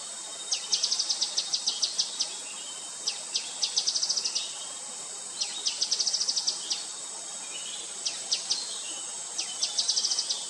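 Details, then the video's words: Grey-headed canary-flycatcher calling: short bursts of rapid, very high, thin notes, repeated every two to three seconds, over a steady high insect hiss. "Gray-headed Canary-Flycatcher calling"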